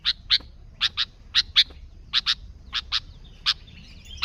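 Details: Sooty-headed bulbul, an unembellished recording used to lure other bulbuls: loud, clipped chirps in pairs, separated by short pauses, over a faint background hum.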